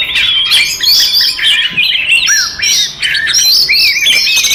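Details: Five Oriental magpie-robins in fighting song used to provoke other magpie-robins: a dense, overlapping stream of bright whistles, rapid trills and harsh chattering notes, with almost no pauses throughout.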